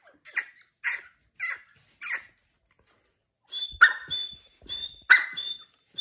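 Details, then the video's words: Breeding pair of grey francolins gives four short, harsh notes about half a second apart, then louder grating calls mixed with a thin, high whistled note. "Dakni Breeder Pair Sound | Tetar ki AwaZ"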